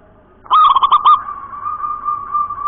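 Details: One bright, clean 'nropel cowong gowong' coo phrase from a local wild-type zebra dove: rapid rolling notes bunched together, followed by a sustained faint tone and low background noise.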